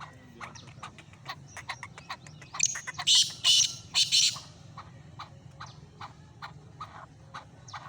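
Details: Black francolin, known locally as kala teetar, giving loud, harsh, grating squawky bursts clustered in the middle, set against a steady train of rapid dry clicking ticks before and after.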